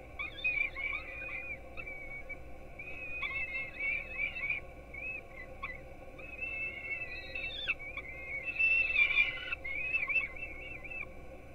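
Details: Peregrine falcon nestlings in Gdynia, Poland, getting breakfast at 4:21 am, recorded by a nest webcam: repeated thin, wheezy begging wails, some rising and falling, coming in uneven runs of several seconds against a constant background hum.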